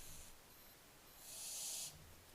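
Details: Barn owlets, 15 July 2024: a single strong, rushing hiss swells for about half a second after a faint, short breathy burst at the start, over quiet low background rumble.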